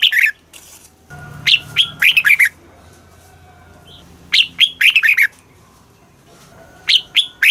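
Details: Caged red-whiskered bulbul song in the southern Thai master style, played to excite captive birds and teach young birds: loud, clear whistled phrases of quick rising-falling notes in bursts roughly every two and a half seconds, faint low hum beneath.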